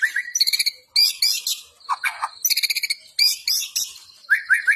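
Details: White-rumped shama in forceful gacor fighting style, alternating fast clicking rattles, harsh buzzy bursts and high scratchy notes, closing with a few upslurred whistles.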